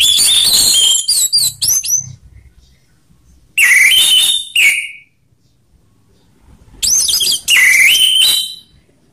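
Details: Orange-headed thrush (anis merah) song used as a training lure for kept birds: three loud bursts of rich whistled and slurred phrases mixed with buzzy notes, separated by short silent gaps.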